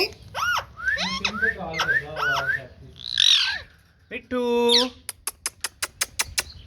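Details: Pet green ringneck (rose-ringed) parakeet talking: speech-like syllables with rising and falling tones, a harsh squawk, a drawn-out nasal note, then a quick run of sharp clicks, over music.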